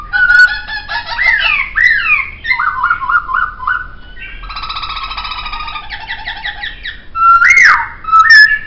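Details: Laughingthrush (poksay) song, a lively medley of clear whistled notes, rising and falling slurs and rapid rattling trills, with a loud upward whistle near the end.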